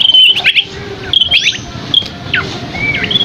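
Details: Scaly-crowned Babbler (asi topi sisik) in a masteran song with rich isian. Spaced phrases of thin level whistles mix with quick downward slurs and short twitters, separated by brief pauses over quiet background hum.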